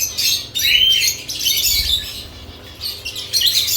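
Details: Lovebirds at added nest boxes give a burst of shrill chatter, then one rising squeaky chirp, followed by softer twittering and a final flurry of high notes.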